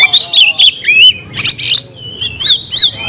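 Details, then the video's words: Caged oriental magpie-robin belting out short loud phrases: sweet whistled slurs, a harsh buzzy burst, then repeated bright chirps in quick succession. "kacer gacor nagen sampe leklok"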